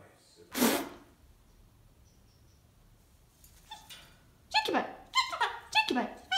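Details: Pet male cockatoo indoors: one sharp, noisy burst, a quiet pause, then a quick run of harsh, bark-like harmonic calls in close succession near the end.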